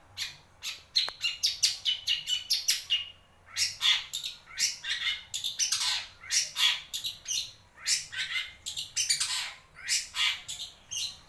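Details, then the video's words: Wewah bird call played to coax a reluctant shrike into singing: rapid bursts of harsh, scratchy squawks and chirps in quick runs with brief pauses between them. "burung wewah untuk pancingan cendet malas bunyi"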